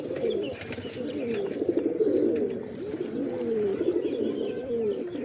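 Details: A dense chorus of pigeons cooing continuously, throaty rolling notes overlapping with no pause, over a faint high hiss.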